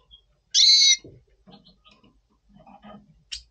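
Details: Double Pastell red siskin in breeding mood before the breeding season, November 2023: one loud, nasal, harmonic-rich call lasting about half a second, followed by soft low rustling and faint tapping noises.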